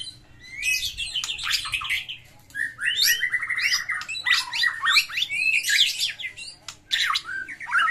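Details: Fighting song of a white-rumped shama, rich with mimicked phrases, used to trigger shamas that stopped singing; loud, dense cascades of rapid whistles, buzzy trills and sharp chips running almost continuously with brief gaps.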